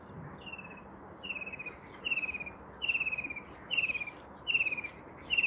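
White-throated kingfisher giving shrill, descending rattled trills, each under a second long and repeated about every 0.8 seconds, growing louder, over a soft background hiss.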